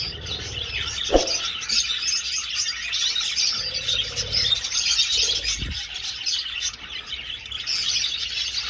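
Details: A budgerigar flock moving through an old aviary, overlapping bright chirps and warbles in a continuous wash, with a couple of low dull knocks in between.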